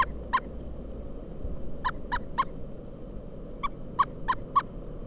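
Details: Pileated Woodpecker calling during a December 2022 snowstorm in Kalamazoo, Michigan: loud, clipped, ringing 'wuk' notes, one alone, then loose bursts of three and four, over a steady low rumble of wind.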